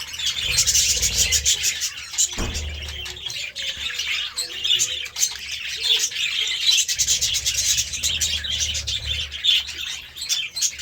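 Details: Budgerigars at a meal of seeds and vegetables produce steady high twittering chatter with scratchy squeaks and one abrupt thump early on, over an intermittent low hum.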